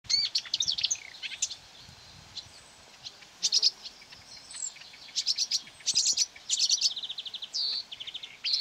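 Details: Marsh warbler lured by playback of its own voice near quarry workings on 9 May 2020, singing bursts of scratchy, buzzy high notes and rapid trills with short pauses between phrases.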